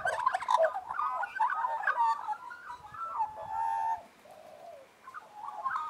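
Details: Magpie group warbling in harmony, a continuous mellow, wavering stream of gurgled notes that settles into a long, steady tone before a quieter finish.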